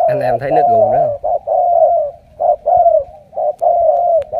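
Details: Spotted dove, a wild-caught decoy known as a super cooer; a man speaks briefly at the start, then low, falling coos follow in short-long pairs roughly once a second.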